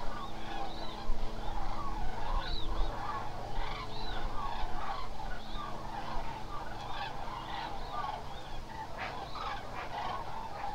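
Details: A large flock of Eurasian cranes at Hula Nature Reserve, Israel, on 27 October, gives overlapping loud, trumpeting, rolling calls without pause, over a low steady rumble of engine or wind.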